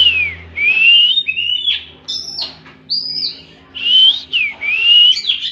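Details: Oriental magpie-robin 'tembakan' song of sweeping whistled notes, some falling, some rising, delivered in phrases about a second apart with short gaps. A brief low hum appears early.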